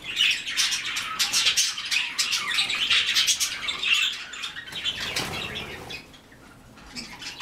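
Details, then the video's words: Group of white-faced cockatiels giving overlapping rasping chirps and squawks, with a burst of wing flapping midway before the chatter fades and thins out. "Белолицые кореллы"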